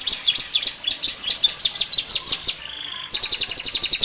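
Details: Canary singing a full song for tutoring other birds: rapid bright chirped notes in quick runs, a brief softer buzzy passage, then another fast high trill.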